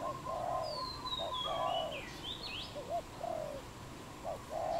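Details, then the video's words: Wild dove calling in Cambodia on 23 April 2020: repeated mellow coos, short notes and longer drawn-out ones, while another bird gives thin, high descending whistles and twisting notes in the background. "សត្វលលក | Dove"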